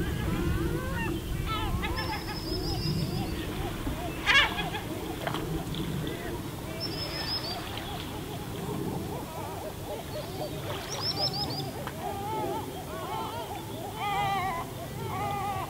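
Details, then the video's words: Many gulls calling at a distance along the pebble shore of Spiaggia Paolina, Elba, Italy: overlapping short mewing notes and occasional longer wails, blended with continuous rolling waves. "Gabbiani suono rilassante"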